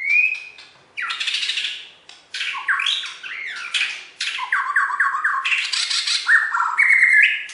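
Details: Champion Borneo white-rumped shama (Copsychus malabaricus), a contest bird from West Kalimantan, singing a rich, fast run of clear rising whistles, harsh chattering notes and rapid trills, with no other sounds.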